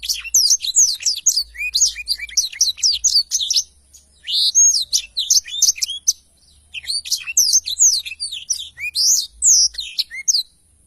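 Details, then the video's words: Black-throated canary singing vigorously, a tutor recording for training songbirds: long runs of high, fast chirps, slurred whistles and trills, broken by brief silences. "blacktroath gacor cocok untuk masteran"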